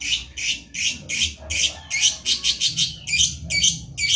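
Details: Long-tailed shrike song used as a training recording for songbirds: a rapid series of harsh, scratchy high notes, about two per second, uneven in spacing, with low background rumble.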